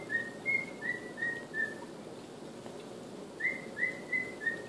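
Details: Rough rendition of the Andy Griffith theme by a male pet cockatiel, five steady whistled notes, a pause, then four more, each note short and slightly falling.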